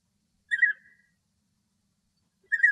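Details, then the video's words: In Greek nature, a male European bee-eater sings happily, giving two brief rolling, throaty trills two seconds apart against a silent background. "Μελισσοφάγος Αρσενικός Κελάηδημα - European Bee-eater Merops apiaster Singing"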